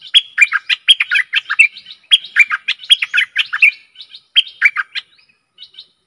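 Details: Stripe-throated bulbul, recorded as a decoy for luring aggressive wild birds, delivering continuous bubbly, chattering song in tight repeated phrases for about five seconds before trailing off into soft notes.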